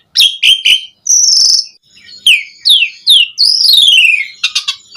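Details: Javan pied starling in full song, played as a lure to set other starlings singing; three quick chirps, a buzzy whistle, then sliding falling whistles and a long descending note ending in rattling chips.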